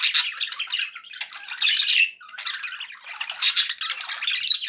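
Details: Happy pet budgies chattering indoors: a continuous high warble of scratchy chirps, squeaks and buzzy notes, swelling into louder bursts every second or so.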